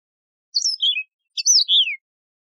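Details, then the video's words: Two rapid, ringing phrases from a Yellow-fronted canary, or Mozambique serin, a wild canary species. Each phrase is a quick cluster of high chirps sliding down into a clear falling whistle. No other sounds are heard. "شريط تغريد البسبوس الموزمبيقي"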